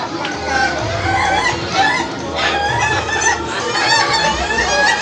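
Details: At an Indonesian contest final, laughing chicken roosters deliver chattering, cackling crows in quick broken bursts. Several voices overlap over a steady murmur of human speech.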